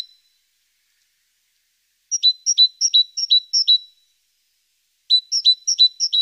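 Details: Great tit recorded by a nest-box webcam on 14 April, busy around the nest in the morning, gives two runs of high, sharp paired notes, five pairs and then four, with silence between.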